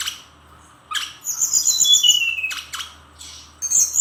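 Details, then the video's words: Brown-chested jungle flycatcher of Bali in full song: a sharp rasping burst, then a long high whistled trill that steps downward, more harsh chattering notes and a thin whistle at the end. "Kumpulan Kicauan SRDC Gacor Nratak Nembak Isian"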